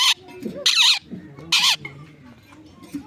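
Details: Pet mithu parrot talking near its owner; three harsh, loud, noisy squawks in about three seconds, with low human voices underneath between the bursts.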